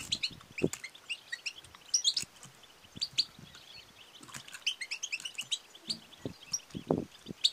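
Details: Chattering calls of a female European goldfinch, the 'batbata' and 'satsata' used to rouse males to sing and mate: dense high twitters in clusters, with a few low knocks near the end.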